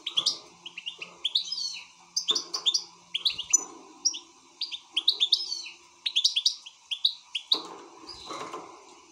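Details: Excited European goldfinch singing a lively, liquid twitter: quick chirps and trills in tight clusters, repeated with barely a break, over a steady low background hum.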